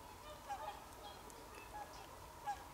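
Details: Honking whooper swans on 24 December 2020, in winter: three brief, clear nasal calls at about 0.5, 1.8 and 2.5 seconds, separated by quiet gaps with steady low noise.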